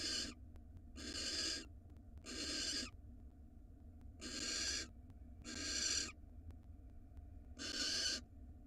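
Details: A female barn owl at a nest box camera in Israel, receiving a rat from her mate, utters raspy screeches in uneven bursts, some paired closely, others spaced by longer pauses.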